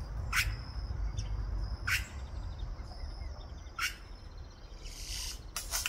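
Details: Giant cowbird song: loud, harsh, broadband bursts spaced roughly every one and a half to two seconds, over steady low rumbling noise and a faint high steady tone.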